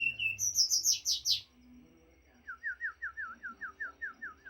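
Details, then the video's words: White-rumped shama (morae) song: a fast run of high, sweet whistled notes is followed by a steady series of about a dozen lower, downslurred whistles repeated several times per second. A low hum runs underneath. "Ocehan burung morae mini gacor"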